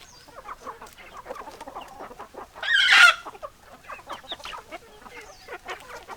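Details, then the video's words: Chickens clucking in a busy flock, a dense stream of short clucks and chatter with one louder, harsher squawk rising out of the mix about halfway through. "Chicken Sounds Noises Hens Clucking Roosters Crowing"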